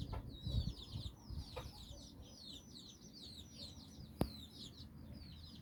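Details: Hen with nine chicks on a walk in Bizkaia, Basque Country; fairly quiet, steady stream of high downslurred chick peeps, with a few sharp clicks and low background rumble.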